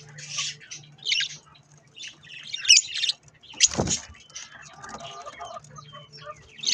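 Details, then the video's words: Budgies eating strawberries; scratchy squawks and chirps in short bursts, a loud thump near four seconds, then softer warbling and whistled twitters. "Budgies Sounds while eating Strawberries"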